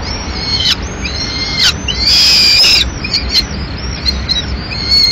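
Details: In Madrid a female peregrine falcon arrives at the nest with a pigeon's remains at mid-morning; scattered shrill, tonal cries with one long, loud wail in the middle, over faint background rumble.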